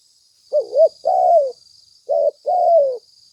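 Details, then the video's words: Lure recording of a spotted dove: a quick double-humped note, then a drawn-out coo sliding downward, repeated after a pause, with a constant thin high-pitched hum behind. "Suara tekukur pikat mp3 gacor"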